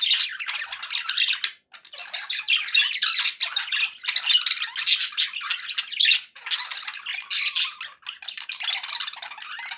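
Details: Pet budgerigars sounding happy: a nonstop, rasping warble full of fast clicks, squeaks and whistled fragments, delivered in overlapping bursts with only brief gaps.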